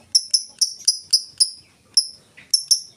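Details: Lovebird giving the "ngetik" ticking song without chattering, used as a lure to get other lovebirds singing: sharp, high, clipped chips repeated roughly every quarter second in an even, typing-like series with one short pause.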